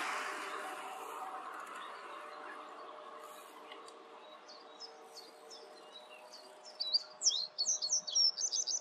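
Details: Singing reed bunting in the Grote Netevallei at Gestel, 28 May 2022: after quiet background, short high chirped notes rise into a fast run of sharp, repeated twittering phrases near the end.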